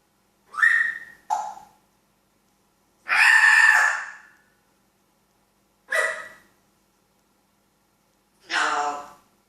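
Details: Talking African grey parrot producing spaced bursts of speech-like sounds, including a longer loud phrase and short clipped syllables, with silence between them.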